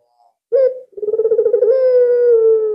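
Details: Albino Barbary dove, kept as a lure because it calls so readily. One sharp note, then a fast fluttering trill that flows into a sustained, gradually falling coo.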